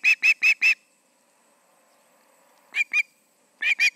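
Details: Osprey at the Charlo nest in Montana on an August evening around 7pm, two birds present; short bursts of high, sharp piercing chirps, four quick notes, a pause, then two and three more.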